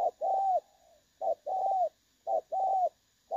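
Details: Spotted dove used as a trapping decoy, described as having a clear, pleasing voice: short coo followed by a longer, slightly arched coo, the pair repeated about once a second, with a faint steady high hum behind.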